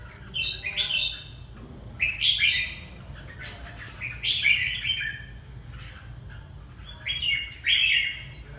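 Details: Red-whiskered bulbul of the Hà Tĩnh line: four chirpy, warbling phrases of quick slurred whistles spaced roughly two seconds apart, with a low steady hum in the background.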